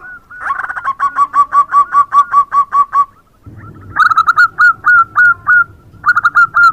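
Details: Zebra dove singing actively in the morning: a long rhythmic run of about a dozen evenly spaced, clipped coo notes, then a pause and a second series of slightly higher bubbling notes, with faint doves in the background.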